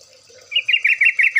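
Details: Yellow-vented Bulbul lure recording for prompting birds to sing: after quiet, a quick run of six bright, slurred chirping notes, evenly spaced and repeated about every fifth of a second, with a faint steady high hiss behind.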